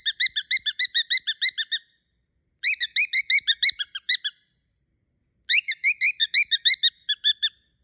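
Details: A cockatiel (Nymphicus hollandicus) screams in three rapid bursts of sharp, shrill, squeaky notes.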